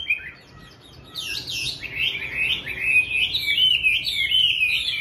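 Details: Chinese hwamei, a caged bird kept at home, singing at daybreak: after a quiet opening, a burst of high sweeping notes leads into a rapid, jerky, repeated warble that grows louder toward the end.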